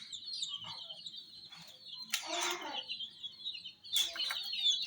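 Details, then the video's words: Several chicks beside miniature jeep toys peep in quick, thin, high notes, interrupted by short rustling and flapping bursts. ""Chicks Chirping" Sound"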